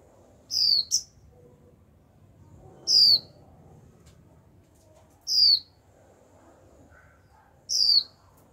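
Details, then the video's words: A young female Japanese white-eye in captivity calls 'chíu' continuously to excite males into song: four bright, descending whistled notes roughly every two and a half seconds, the first followed by a quick extra note. "Khuyên mái tơ chíu liên tục kích bổi líu ngay!"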